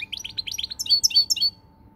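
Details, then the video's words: Short European goldfinch song phrase from 20 March 2020: a quick run of rising chirps gives way to louder, buzzy, ringing high notes. A faint steady hum sits underneath. "Pirlitan Chardonneret, El jilguero, bird, cardellino pezzato GOLDFINCH SONG"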